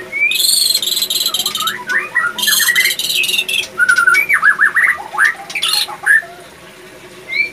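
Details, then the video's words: Male white-rumped shama in breeding condition; loud grating buzzes followed by a quick series of looping whistled notes and a final rising whistle. "Ciri - Ciri Burung Murai Batu Jantan Birahi"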